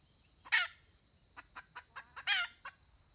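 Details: Red junglefowl hen, wild, recorded 31 May 2023, giving two loud rasping squawks about two seconds apart with a run of quick soft clucks between them; a constant thin high whine runs underneath.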